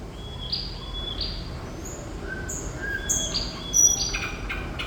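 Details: Thrush nightingale singing ('gacor'): a few spaced, clear whistled notes, some rising, followed by thin very high whistles and soft clicks toward the end, against steady low background noise.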